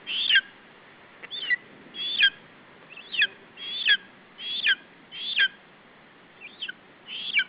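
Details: Chick of a lesser spotted eagle defending food against a parent at an Estonian nest in July: a series of shrill, high, downward-slurred yelps spaced about once a second with short pauses.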